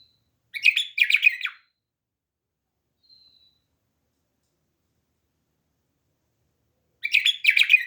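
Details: Bulbul kept as a pet bird gives two short, dense chattering phrases of quick warbled notes about six seconds apart, with silence in between.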